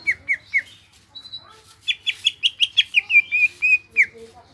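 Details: Gacor song from a greater green leafbird: three drooping whistles, a thin high tone, then a rhythmic run of about a dozen bright, slightly falling notes.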